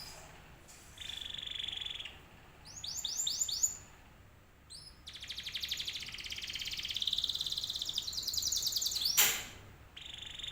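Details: Canary song used as a lure to make other canaries answer, in uneven bursts: a steady buzzy trill, short rattles and sweeping notes separated by pauses, with a sharp click near the end against faint background hiss.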